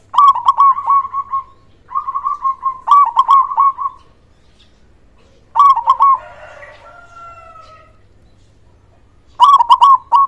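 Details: Strong-voiced local zebra dove singing as a lure for mute or lazy doves; repeated bursts of rapid, rolling coos separated by pauses, and a brief rough rustling noise partway through.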